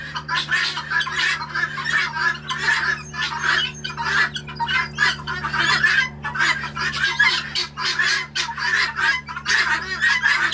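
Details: Noisy morning calling from a visiting flock of about 20 guinea hens at Lovettsville: harsh, grating squawks in overlapping bursts, rising and falling in irregular waves, over a steady low hum.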